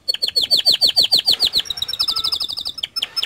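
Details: Singing canary, used to get other canaries singing: a loud series of sharp downward-swept notes repeated about four times per second, followed by a thinner, faster high trill.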